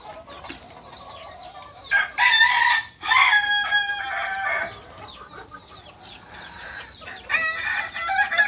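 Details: Kukuak balenggek rooster from Solok, West Sumatra, giving loud harmonic crows in two long bursts near the middle, each held steady with stepped notes, amid many small chirping birds in the background.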